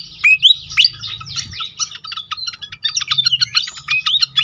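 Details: Pied fantail song used as a lure to get other fantails singing: rapid high chattering notes mixed with bright rising whistles, louder sweeps near the start, continuous busy phrases throughout, faint low hum beneath.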